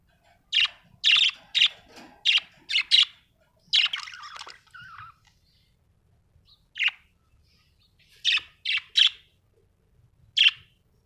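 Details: Cheerful Australian budgie kept as a pet, calling in clean, sharp chirps, first a quick run of about eight, then a pause and scattered single and paired chirps in a quiet room.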